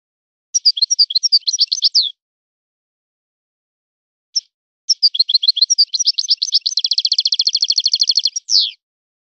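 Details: Goldfinch in the Moroccan 'son of the forest' song style: twittering phrases, a lone note, then a long passage with a steady, rapid buzzing trill, finishing in a drawn-out descending call.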